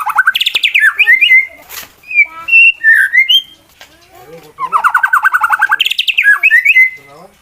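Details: Competition white-rumped shama song used to provoke rival birds: fast trill and sweeping whistles, several clear varied whistled notes, a gap, then another rapid buzzy trill with looping whistles.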